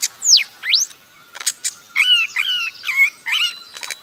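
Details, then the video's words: A bird making a funny sound: sharp whistled swoops sliding down and up, then a row of short buzzy notes with quick bends, about two per second, in a quiet setting. "Cute Bird Making Funny Sound"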